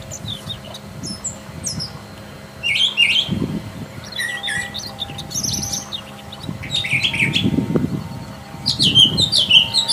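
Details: Wild Brown Thrasher singing continuous, varied song: clusters of scratchy and squeaky high notes in irregular bursts, over a low hum with occasional rumbling background noise.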